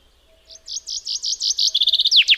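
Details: A common chaffinch delivers a rising, quickening series of bright chipped notes, then a fast rattle, closing with two strong downward-sweeping flourishes. Background is clean and quiet.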